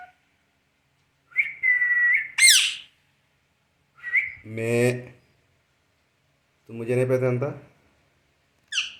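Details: Parrot mixing short level whistles with a shrill squeal and two lower, buzzy, speech-like bursts, repeated in bouts a couple of seconds apart, with a brief high chirp at the end.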